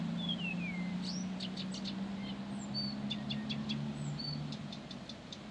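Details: Persistent Blyth's reed warbler song of a falling whistled slur, then bursts of dry clicks and short chirped notes, with a constant low droning hum underneath.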